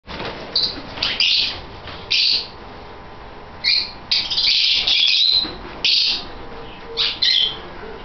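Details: A breeding colony of 26 masked lovebirds, about 10 pairs, in a large aviary cage gives shrill, high, squeaky chattering bursts every second or so, overlapping in places, over a faint hum.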